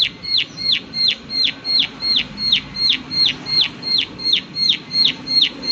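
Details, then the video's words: Prinia calling a rapid, metronome-like chain of sharp high 'klik' notes, about fifteen in under six seconds, loud and clear above light ambient noise. "Prenjak Klik Klik Gacor Suara Alam Dan Isian || Prenjak Klik Klik Pasti Nyaut"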